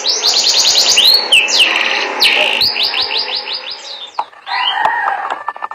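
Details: Canary in melodious song, chaining rapid trills of repeated high notes with swooping slurs between phrases, about three notes a second in places, ending in softer, lower warbling and clicks.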